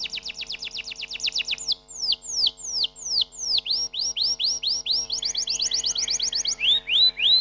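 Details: Canary song moving through several tours: fast descending notes, slower loud downward whistles, rising curved notes, a brief rapid trill, then upward sweeps.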